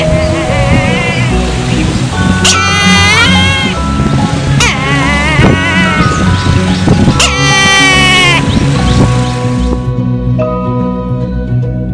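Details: Loud music with sustained tones and sliding voice-like notes over a steady low beat; no animal call stands out.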